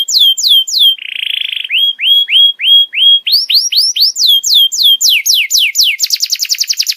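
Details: Master song used to teach juvenile canaries: falling whistles, a brief buzzy roll, steady upslurred whistles, then accelerating rising sweeps closing in a rapid high trill.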